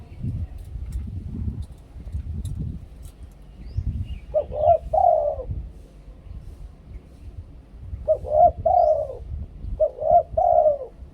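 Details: Luring song of a spotted dove, Thai two-kuk koo-ang style, delivered as three spaced phrases of hooked coos, each stretching into a drawn falling note, over low rumbling background noise.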